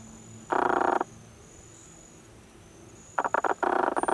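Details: Squirrel cuckoo, subspecies Piaya cayana macroura, in Iguazú National Park, Misiones Province, in May 2018: two harsh, buzzy, rasping bursts, the first half a second long, the second a stuttering series, over a faint steady high whine.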